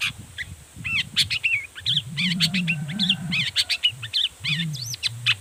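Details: Long-tailed shrike in full, agitated song, used to provoke other shrikes into answering: rapid varied chirps, wavering whistles and harsh notes in dense bursts, with a steady low rumbling hum underneath.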